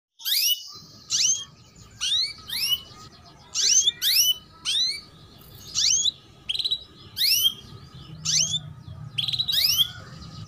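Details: Female canary chirping, used as a lure to get young canaries singing quickly: a steady series of sharp, high, downward-swept chirps, roughly one per second, each bright and clipped, over a faint low hum.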